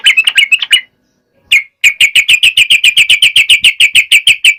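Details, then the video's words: Singing yellow-vented bulbul, used as a lure to get lazy males singing: a brief chattery burst, a pause, then a long, fast run of sharp, evenly spaced chipping notes, several per second. "SUARA KICAU TRUCUK GACOR AMPUH BUAT PANCINGAN TRUCUK MALES"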